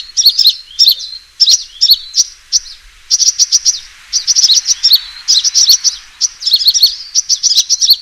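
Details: Sunbird fighting call used as a lure: rapid high, sharp chirps in dense bursts, with thin twittering trills and short pauses between bursts.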